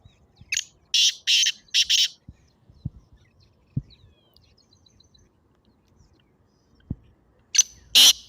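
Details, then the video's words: Black francolin, a recording meant to stir a pet partridge into calling: a quick group of three or four harsh, scratchy notes, then a long quiet stretch with faint clicks, and two more rasping bursts at the end. "تیتر کی مستی بھری آواز"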